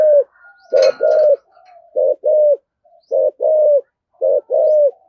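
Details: 'Thổ sấm' voiced spotted dove in 'thúc gù' cooing. Deep double coos, a clipped note then a sustained one, given in a regular run, with a brief rustling burst early on.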